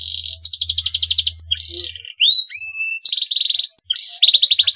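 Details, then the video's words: Male canary in breeding condition, singing to stimulate rival canaries: rolling pulsed trills, a pair of rising whistles, then more fast rattling trills. "CUIT CUIT KENARI JANTAN BIRAHI UNTUK MERANGSANG BUNYI KENARI LAWAN AGAR MAU BUNYI DAN GACOR"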